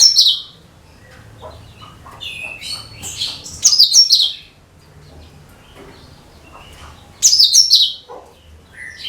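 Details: Cucak kinoi song used as a lure for all kinds of birds: bright high whistled and chattering phrases in two loud bursts a few seconds apart, softer twittering between, faint low hum beneath.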